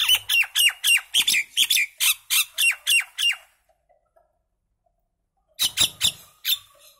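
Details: Common myna, called Indian maina, singing: a rapid series of harsh, squawking notes with falling chirps, repeated about three or four per second for three seconds, a pause, then another short burst.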